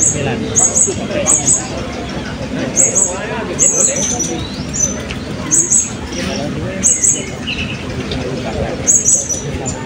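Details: Blue-crowned hanging parrots at an open songbird singing competition in Balingian, 2024: sharp, very high doubled chips repeated about once a second, over steady crowd chatter and background noise.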